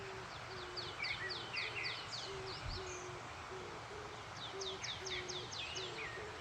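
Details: Birds waking the morning on Yumyeongsan mountain beside a valley stream: a steady series of short, low, hoot-like notes about twice a second, overlaid by bursts of rapid, high, descending trilled notes, with constant rushing background.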